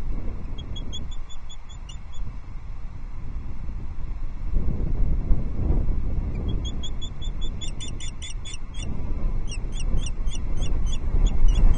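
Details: Female osprey on the nest at Loch Arkaig on 11 April 2024, calling as she sees the male flying in with the season's first fish, a headless brown trout; two bursts of short, sharp, high chirps repeated rapidly over strong, low wind rumble.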